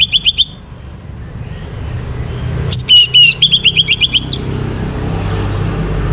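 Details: Orange-headed thrush morning song, used to bring birds into breeding condition: a short twittering opening, then a longer phrase of clear whistled notes and rapid high chips, followed by low background noise.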